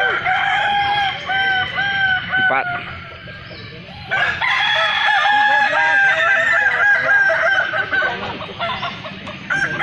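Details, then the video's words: Balenggek roosters at a Kota Solok crowing festival, a chorus of overlapping crows with long level notes and bursts of short repeated syllables, plus a few voices in the background. "festival ayam kukuak balenggek"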